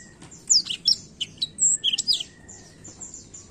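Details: A Black-throated canary sings in the rolling style meant to stimulate younger birds: a short burst of piercing upslurred and downslurred chips with a clear whistled note, then faint soft twittering.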